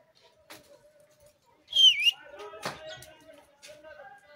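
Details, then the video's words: Pet Pakistani ringneck parrot chattering and talking: soft speech-like mumbles with a bright, high whistled squeak that dips and rises near the middle, followed by murmured syllables. "pk ringneck parrot bird talking, cute parrots sounds"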